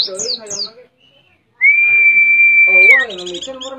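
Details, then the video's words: Canary-style song of a Mount Ciremai white-eye in West Java: a few sharp descending high notes, a gap, then a loud drawn-out level whistle lasting over a second, followed by softer rapid chatter over lower warbling tones. "Pleci Nembak Kenarian"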